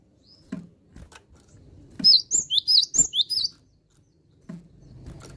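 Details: Cinereous tit singing vigorously: faint taps and rustles lead into a quick sequence of about six high, sweet two-note whistles with hooked, sliding notes, then softer knocking and low background noise.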